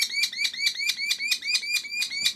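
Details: A captive female ambassador Merlin at a wildlife centre, readying to spread her wings, gives a fast, harsh chatter of sharp, high notes, about five a second, run together in a steady series; Merlins are said to be moving through now.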